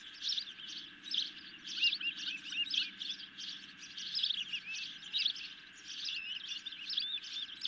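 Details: Hungry ospreys at a camera-watched nest during a night fish delivery, 10 July 2021; steady stream of high chirping bursts repeated about every half second, with a low background hum.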